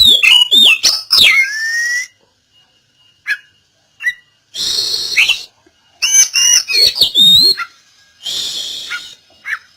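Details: Oriental magpie-robin song played to bring a silent bird back into song. Short bursts of harsh chatter, twisting whistles and swooping notes come with gaps of a second or two, with a few soft isolated calls between them.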